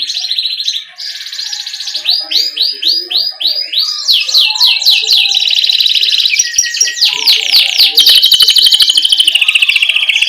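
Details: Canary in full rolling song, played as a lure for young birds: high trills shifting between buzzy rattles and rapid repeated slurred whistles, continuous and loud to the end.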